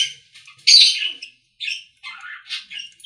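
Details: Budgerigar song recorded in a pet store: a loud scratchy squawk followed by quieter, chirping warbled phrases with short pauses between them.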